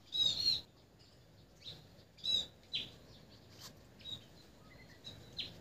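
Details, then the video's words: Sparrow giving short, high chirps in brief clusters about every two seconds, some notes sliding slightly, over a faint background hiss. "sparrow นกกระจอก"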